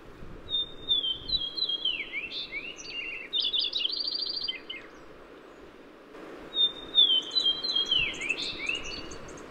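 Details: Lincoln's sparrow (Melospiza lincolnii) song from eastern North America, given twice: wren-like, a few clear high notes, then rapid bubbling trills that shift pitch and end in a slur, over low background hiss.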